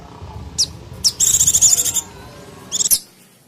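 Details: Mountain white-eye calling noisily as a lure for wild birds: a single sharp high note, then a rapid buzzy pulsed chatter, ending in a short cluster of high descending notes.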